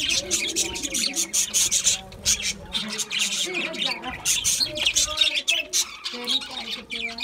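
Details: Seed-eating budgies produce crowded, grating squawks and quick chirps, almost continuous. Softer, lower wavering tones are mixed in.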